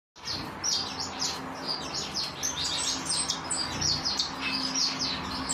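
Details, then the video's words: African silverbills kept as pet finches. Several birds keep up a busy stream of high, thin chirps and short downward-sweeping tweets that overlap steadily over a faint low hum. "African silverbills"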